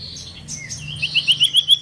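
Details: Common iora, also called cipoh or sirtu, used as a lure recording: a fast run of bright, sharp notes that rise slightly, about eight per second, preceded by softer high chirps, with a low hum beneath.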